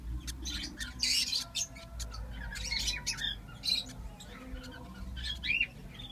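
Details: Five lovebird chicks hatched at the same time give harsh, raspy squawks in quick irregular bursts, several close together, over a low background hum.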